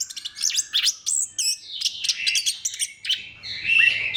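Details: Orange-headed thrush lure song to set other thrushes singing: fast varied chirps and quick whistled notes in a continuous stream, ending in a louder warbled phrase over a faint low hum.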